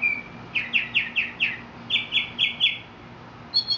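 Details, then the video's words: Mexican mockingbird song: a quick run of five identical sweeping chirped notes, then four higher repeated notes, ending with a brief higher phrase, loud and clear over a low background hum. "mexican mockingbird"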